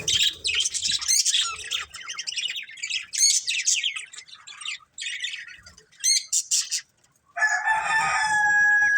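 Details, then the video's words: Busy chatter from a family of colourful budgies: quick, high, buzzy chirps and trills in rapid succession, a short silence, then a steadier warbling passage with layered tonal notes. "Cute Colourful Budgies Chirping Sounds"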